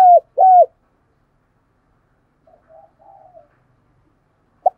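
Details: Decoy spotted dove giving its morning call to lure wild doves. Two loud arched, downward-curving coos open, then faint low murmuring coos and one short sharp note at the end.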